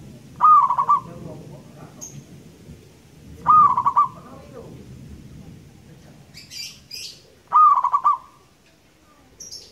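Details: Local Indonesian zebra dove singing loudly and at length: a stuttered, cooing phrase of quick pulsed notes repeated three times, about every three and a half seconds, with brief high chirps from other birds between phrases.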